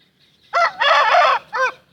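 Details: Aseel rooster crowing: a loud, hoarse, harmonic-rich crow in three parts, a short opening note, a long sustained middle phrase and a brief falling final syllable, all within about one and a half seconds against a quiet background.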